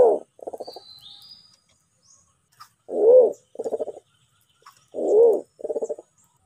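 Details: White-faced cuckoo-dove of Sulawesi used as a trapping lure: paired phrases of a rounded arched coo followed by a pulsed, rattling coo, repeated three times about two seconds apart, with faint high chirps.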